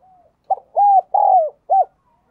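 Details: A decoy spotted dove, used for attracting wild doves, sings one complete cooing phrase after a faint soft lead-in. The phrase has a short note, a long arched coo, a longer falling coo and a brief rounded ending.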